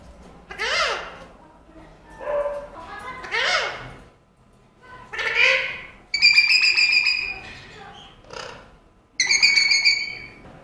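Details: A pet parrot said to talk about everything produces a string of voiced, speech-like syllables with sweeping pitch, broken by two loud buzzy, pulsed squawks, heard indoors.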